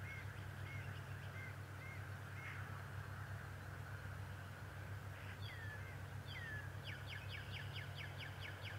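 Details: Bald eagle at Decorah, the adult male, on 11 March 2018: soft, scattered high squeaks early, then a descending whistled squeal and a quick burst of piercing chittering notes near the end, over a steady hum.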